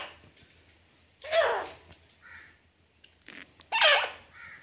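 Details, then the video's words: Grey francolin pair calling: two loud, harsh bursts about 2.5 seconds apart, each a rasping downward-sliding note followed by softer, shorter notes, over a faint low hum. "dasi teetar pair calling"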